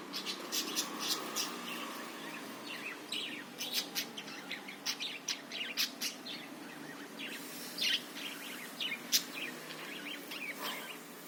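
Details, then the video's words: Budgerigar singing as a lure meant to get other birds going: a long, busy stream of dense high twitters and clicks, louder chattering bursts toward the end, faint low hum underneath. "suara burung parkit ..bagus ni buat pancingan"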